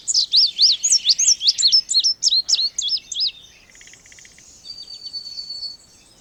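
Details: Indigo bunting opens with a loud, rapid string of sharp high slurred notes, then falls quiet while a buzzy trill and a thin drawn-out whistle from other birds follow.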